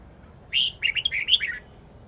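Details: Long twisting forest-style song of a red-whiskered bulbul, played to train young bulbuls and white-eyes; a short burst of sweet chirped notes bending up and down, lasting about one second, against a quiet, lightly hissing background.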